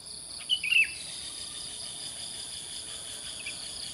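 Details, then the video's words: Sooty-headed bulbul singing cheerfully in the morning in a rural mountain setting at sunrise: one short, bright warbled phrase of three quick notes near the start, then a faint note later, over steady high-pitched insect buzzing. "Burung Kutilang Berbunyi Gacor Bersiul-Siul dengan Gembira di Pagi Hari"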